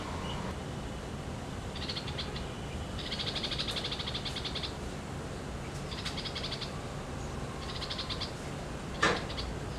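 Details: A red-vented bulbul chick sitting at its nest in India gives four bursts of high, rapid, buzzy ticking over a steady low background hum, ending with a sharp click.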